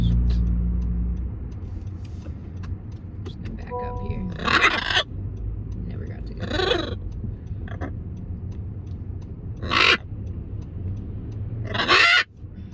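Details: Macaw calling with four loud, raspy screeches spread over about twelve seconds. A low rumble runs underneath, and quieter human speech and a short tonal sound come between the calls.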